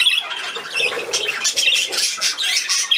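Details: A budgerigar at play on 13 December 2019 gives quick shrill chirps and squawks in a tight, scratchy warble, slightly louder toward the end.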